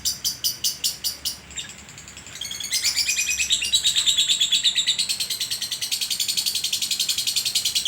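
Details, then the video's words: Contest-winning caged lovebird from Sragen, known for ngekek chatter lasting over two minutes, sometimes 'konslet' to extend it: a brief burst of sharp high pulses, a pause, then dense, shrill chattering that builds and runs on steadily. "Burung Lovebird durasi panjang 2 mnt kadang konslet"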